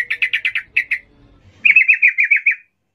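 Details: Sooty-headed bulbul singing in the excited ngalas style used for training young birds. A stuttering burst of short sharp notes, a pause, then a tight rolling chatter of about eight notes.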